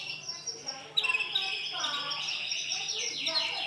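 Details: Male canary, white in colour, delivers a continuous high trilled song, opening with a few separate chirps, then a sharp burst of rapid notes followed by sustained rolling trills.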